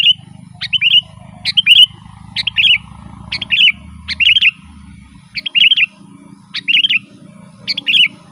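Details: Bright chirping song of a sooty-headed bulbul, a lure for wild forest birds and a teaching song for caged ones: spaced, bubbly phrases about every second, each starting with a high sharp note, over a continuous low hum.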